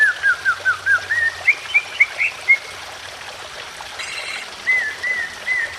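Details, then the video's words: Greater green leafbird in stressed, emotional song meant to provoke other birds, with trickling water behind: quick repeated looping whistles about four per second, a short burst of harsh noise, then more slurred whistles. "BIKIN CUCAK IJO LAIN IKUT BUNYI EMOSI"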